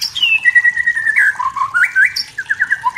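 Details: Forest-dwelling wild white-rumped shama singing provocatively at rivals. It opens with a long, slowly falling whistle, then breaks into short, bright whistled notes that jump between pitches in quick succession.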